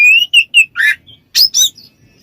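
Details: White-rumped shama in ngeplong style, calling out a rival: loud clear whistles rising near the start, a harsh buzzy note, then two bright upslurred bursts and a faint trailing whistle.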